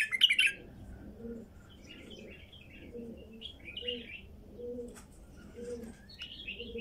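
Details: Wild female bulbul singing: a sharp chirp burst opens, followed by short warbled, slightly buzzy phrases scattered through the clip. A soft, low pulsing repeats steadily underneath.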